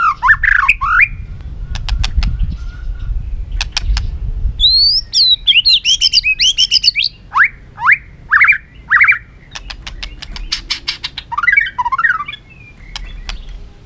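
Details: Agitated white-rumped shama hopping on its cage floor, singing a lure song meant to stir rivals into competitive singing: bright whistled swoops and slurred notes mixed with rapid dry clicks, delivered in quick varied bursts.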